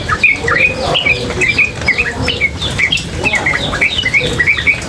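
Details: Female yellow-vented bulbul chattering without pause in rapid ropel style near water: busy, bubbly bursts of sharp chirps and quick slurred upward and downward notes tumbling one after another, with a faint watery background.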